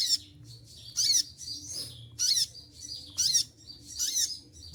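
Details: Singing olive-backed sunbird in moult, losing its feathers: shrill, buzzy high bursts at irregular intervals with thin connecting twitters between them, steady faint hum underneath.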